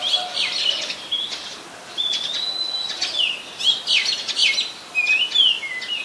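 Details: Oriental magpie-robin in Ubon Ratchathani, Thailand, 24 December 2020: varied whistled song of sustained level notes, quick chirps and slurred down-sweeps, with brief clicky notes between phrases.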